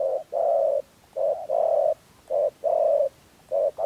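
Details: Cooing of a spotted dove, played as a lure for trapping doves in Dak Lak, Vietnam: mellow low hoots alternating short and sustained notes in an even, steady rhythm, with no other sounds.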